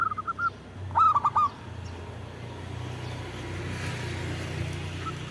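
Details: Local zebra dove call meant to lure birds and prompt idle doves to sing: a few quick soft notes, then a clear burst of three throaty coos, followed by steady low background rumble.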